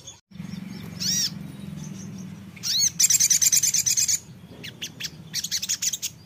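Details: Songbird answering shortly after a brief playback, giving a short high chirp, then a loud, fast series of clipped, rattling notes lasting about a second, followed by a quieter, similar burst against a low background hum.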